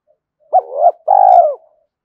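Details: Spotted dove call for provoking wild doves: an upward-flicking first note that swells, then a sustained, low, rapidly throbbing coo that tails off, in a quiet setting.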